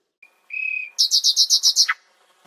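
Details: Nightingale gives a pure, steady whistle, then seven loud, evenly spaced high pulsed notes ending in a falling slur, all on a clean, quiet background.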